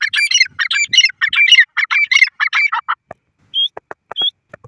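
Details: Grey francolin giving a rapid run of harsh, rasping repeated notes for about three seconds, then a couple of short, thin high squeaks among dry clicks.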